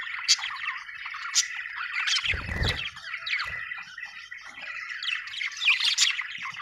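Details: A happy budgie, an Australian bird, chirps in a rambling chatter of buzzy notes and sharp high squeaks, broken by a short low thump in the middle.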